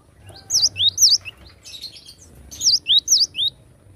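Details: Wild cinereous tit repeating a bright three-note whistled phrase, each note swooping down and back up, sung twice with a short pause between, against soft low rumble.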